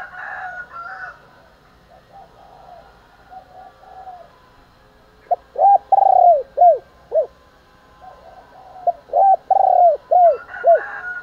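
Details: Spotted dove giving its fight-provoking morning call. Two bursts of rhythmic, mellow arched coos, about two per second, separated by a pause filled with faint coos from other birds and soft chatter.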